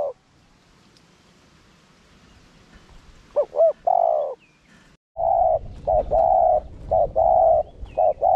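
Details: Caged decoy spotted dove calling to excite wild males. After a quiet start comes a looping two-note phrase with a long coo, then a run of repeated, steady, mid-pitched coos, some clipped short.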